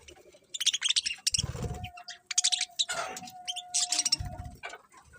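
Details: Morning bird chirping: rapid, high twittering phrases in several bursts, a steady thin tone held in the background, and occasional low thuds and rustling noise.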